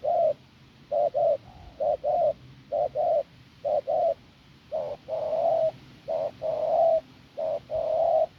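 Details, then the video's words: Field-caught spotted dove cooing hoarsely and strongly, paired short low notes at regular intervals, with a few drawn-out coos later in the series and a quiet background. "Bổi đồng khàn cứng gù"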